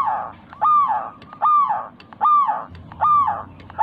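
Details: Local zebra dove in a lure recording for getting pet doves to sing: four loud, slurred notes repeated regularly about every 0.8 seconds, each with a broad, rough edge.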